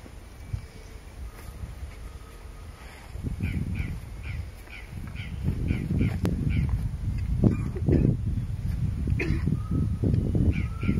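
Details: Crested oropendola (Psarocolius d. decumanus) at Pouso Alegre, Pantanal, Brazil, 22 September 2013, with a yellow-billed cardinal nearby, gives a quick series of short, harsh, clucking notes over strong low rumbling noise, likely wind.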